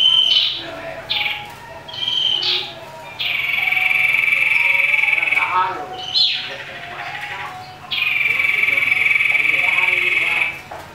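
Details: Common iora singing aggressively to provoke others: brief buzzy notes, then long, even, rasping trills several seconds long, repeated twice with short chips between.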